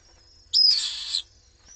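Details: Common swift chicks, three in a nest watched by webcam in Jerez de la Frontera, attacked by an intruder while the parents were away: one harsh, high screech lasting under a second, starting with a thin whistled note, then quiet.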